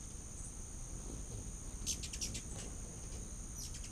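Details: Hummingbirds in a feeding frenzy at a back-deck feeder in late August: a brief cluster of sharp, high ticking chips near the middle, over a steady high whine and low rumbling background.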